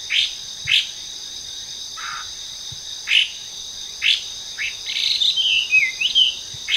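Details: In a park in Japan, where it counts as an invasive foreign bird, a Hwamei sings in the trees: spaced short downslurred notes, one lower note, then a fast, bubbling, warbled phrase, all over an unbroken high-pitched hiss.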